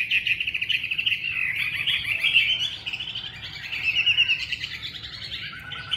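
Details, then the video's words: Chinese hwamei in continuous song, fast fluid warbling slurs delivered loudly, dipping briefly in volume mid-way before swelling into bright whistled runs again. "Họa mi hót"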